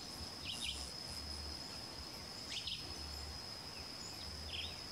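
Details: Three thin, high paired whistles from a Crescent-chested puffbird, spaced about two seconds apart and fading at the end, with a continuous high-pitched insect drone behind.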